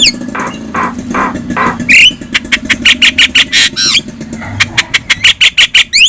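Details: Tutor song of a yellow-eyed Javan myna for teaching other birds: harsh nasal squawks, one squealing slur, then a rattling series of rapid, harsh repeated notes.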